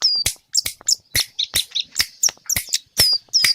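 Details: Scarlet-headed flowerpecker from Kediri singing energetically in gacor isian style. Sharp, very high ticks and thin descending whistles come in quick bursts about every quarter to half second, with short pauses between.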